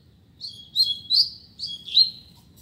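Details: Double-collared seedeater in a singing dispute: four quick, clear whistled notes in two pairs, each sliding slightly, bright and high over a faint low hum.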